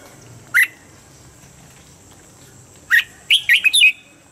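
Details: Red-whiskered bulbul standard morning training song, used to bring birds quickly into form: a lone clear note, a pause of over two seconds, then another note leading into four fast, bubbly, whistled notes.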